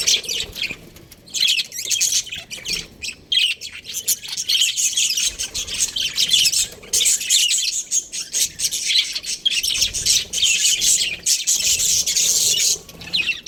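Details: Breeding pair of budgerigars chattering almost nonstop, a dense mix of scratchy, buzzy chirps and squawks at high pitch with brief pauses, layered warbling throughout.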